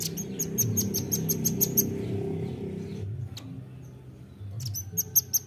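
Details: Nuthatch lure call: rapid runs of sharp, very high ticking notes, about six a second, with a short burst at the end over a low rumbling background hum.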